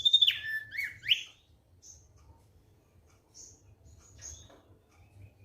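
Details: Thick-billed white-eye in relaxed song: a few bright whistled phrases sliding down from high to mid pitch in the first second, then sparse faint high notes, over a low steady hum.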